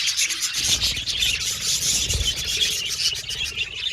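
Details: Budgerigar colony, constant high warbling and chirruping from many birds in an aviary, over a low rumbling rub or handling noise.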